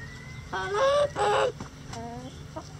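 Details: Backyard rooster among a flock of egg-laying breeds, bantams and barnyard mixes in a sunny coop: a loud harmonic crow in two strong bursts with trailing lower notes, plus softer clucking and a steady low hum behind.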